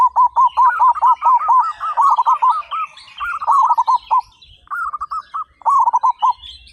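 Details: Chorus of local zebra doves, 35 birds, loud and in eager song: dense, almost continuous strings of quick bubbling coos from several birds overlapping, briefly pausing midway.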